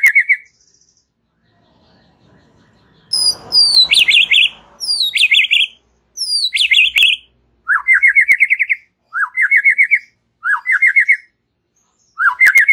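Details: White-rumped shama in relaxed chatter song, played to prompt young and wild-caught shamas: clear whistled slurs and high descending notes, then buzzy rising trilled phrases repeated every one to two seconds; brief rustling noise near the start.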